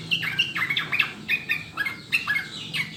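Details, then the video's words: Sooty-headed bulbul master song meant to coax caged birds into frequent singing: lively liquid whistled notes tumbling up and down in quick clusters, several per second, with a soft background hum. "SUARA JERNIH PANCINGAN MASTERAN TRUCUKAN UNTUK BURUNG AGAR CEPAT BUNYI DAN GACOR"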